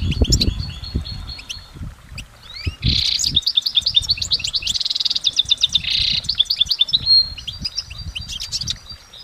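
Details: Goldfinch in nature pouring out a long, layered song: fast liquid twitters, trilled runs of identical notes and two harsh buzzy bursts, with soft low thuds early on.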